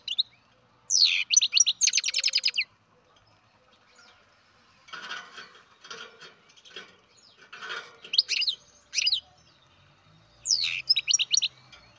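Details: Young farm-bred European goldfinch chirping in fast high bursts, a rapid run of sharp notes followed by quieter scratchy rustling and further clipped twittering phrases.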